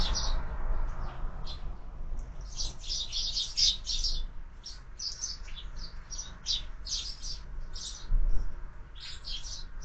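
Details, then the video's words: Sparrows gathered at window-mounted feeders where birds are fed all year; rapid clusters of sharp, high chirps come in bunches with short pauses, over a steady low rumble. "Воробьи в кормушке"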